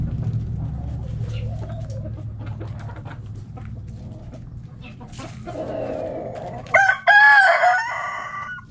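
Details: Hens in a backyard chicken coop cluck in soft, scattered notes, a drawn-out hen call rises near the end, then a rooster starts a loud crow; a steady low hum runs beneath.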